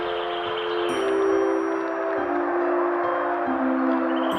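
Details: Sustained ringing chime or bell tones shift between a few pitches over a soft hiss, with no animal heard.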